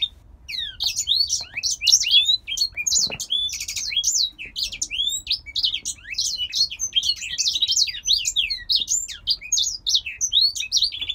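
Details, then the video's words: Captive male grey singer finch from Poland, kept by a breeder, singing a long rapid run of high twittering, warbled and slurred notes with brief trills, almost continuous for eleven seconds. "Grey Singer Finch IRL 4- song beat."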